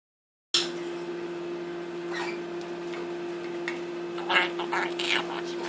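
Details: A two-year-old male pet monk (Quaker) parakeet talks, repeating short raspy mimicked words and phrases such as "what what" and "bad bird" over a steady background hum. He learned profanity from a rescued Quaker.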